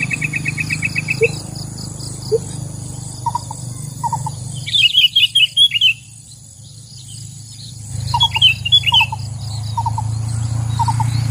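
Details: Sooty-headed bulbul calling in the wild as a noisy trapping lure sound. A loud burst of rapid, sharp chattering notes fills the middle, while short paired notes repeat before and after over a steady high insect hiss.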